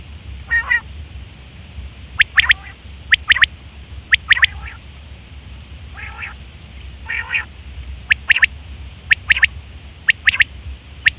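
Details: Quail recorded in September 2023, with calls used for hunting and mating, giving short nasal, slightly quacking notes in loose groups of two or three, about one a second, with sharp clicks between over a steady low hum.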